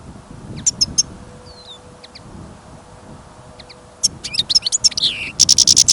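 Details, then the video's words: Caged European goldfinch brought along while trapping in snow and wind: sparse high chirps at first, then a quick bright twittering phrase ending in a rapid buzzy trill; wind rumble and faint hum underneath. "Пение щегла - Голоса птиц. Щегол на прослушивании запел."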